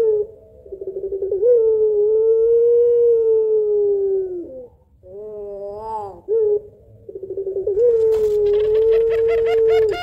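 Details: Barbary dove (puter pelung) giving long-voiced two-note 'kuwok' coos: low, drawn-out, steady hoots, each slightly falling at the end, with brief pauses between. A light crackling noise joins near the end.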